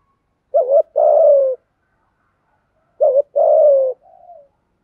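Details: Spotted dove coos from male and female birds, used to stimulate decoy doves: two phrases of a brief wavering note plus a long descending coo, ending with a soft trailing note.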